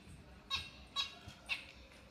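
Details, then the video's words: A lovebird gives three shrill, harsh chirps about half a second apart, each a brief high burst over quiet background hiss. "Love birds sounds & Chirping"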